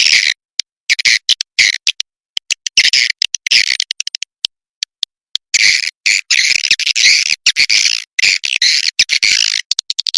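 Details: Swiftlet calls compiled for swiftlet farmers in Indonesia: rapid clicking rattles and buzzy high chatter in irregular bursts, with brief pauses between them.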